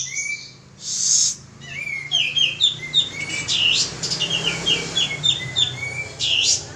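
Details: Male pied triller in vigorous song, used as a lure recording: a low whistled note, then quick chains of high, sharp, downslurred chirps and short buzzy bursts, ending with a bright upward whistle.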